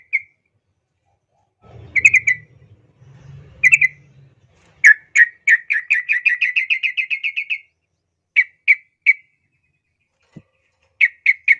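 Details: A yellow-vented bulbul's clear, lively song, used as master audio for young birds: scattered bright chirps over a low rumble, then a fast run of repeated notes for nearly three seconds and a few final spaced chirps.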